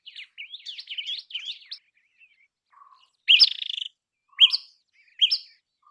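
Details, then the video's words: Common tailorbird singing: a run of quick chattering chirps, then loud sharp rising notes near the end, each given singly about a second apart, with faint low whistles between. "Common Tailorbird Song"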